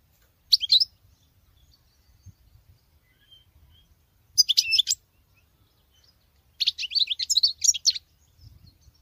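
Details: European goldfinch, a female singing the way a male does: three separate high, twittering phrases, the last the longest with quick jangling notes, separated by quiet pauses and a faint background hum.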